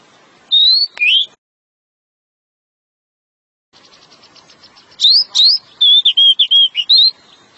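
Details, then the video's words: Luring the female with a long ngeplong song, a pied bushchat gives two clear whistled notes, a pause, then a lively run of looping whistles and fast chirps with a soft background hum. "sang RAJA DECU ngeplong panjang memancing si betina"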